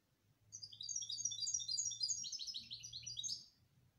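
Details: Canary singing continuously for about three seconds, a busy stream of high, quick repeated notes shifting into a denser rolling trill, over a low steady hum.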